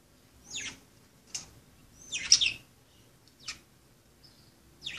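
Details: Several budgerigars playing give bright, high chirps in quick bursts, including a louder squeaky cluster. Short gaps of near silence fall between calls.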